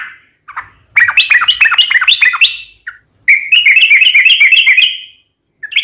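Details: Sooty-headed bulbul in lively, vigorous long rapid-trill song, used as a lure to make other bulbuls sing back: two bubbling runs of quick, repeated, warbling notes, each over a second long, separated by brief pauses.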